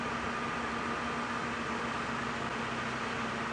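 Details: Early-morning safari drive in the wild with no animal calls, only a steady broadband hiss and a low engine hum throughout.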